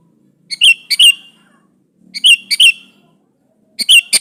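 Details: Sooty-headed bulbul singing energetically to call out a rival: paired liquid chirping notes in short phrases, repeated roughly every one and a half seconds over a faint low rumble.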